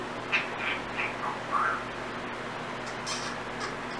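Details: Pet Timneh African grey parrot making random sounds and fragments of learned whistles: a run of short whistled notes, some sliding up and down, then higher brief squeaky notes after a pause, over a steady indoor hum.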